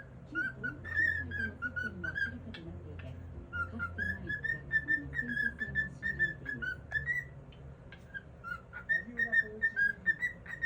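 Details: A pet cockatiel, filmed secretly, whistles the song "If You're Happy and You Know It" as a bright, melodic tune in clear repeated phrases over a low background hum; it tends to stop singing once it notices the camera.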